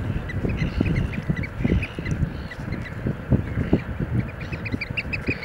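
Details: Eurasian oystercatcher performing a display dance; thin, high piping notes come in scattered runs, strongest toward the end, over a constant low rumble.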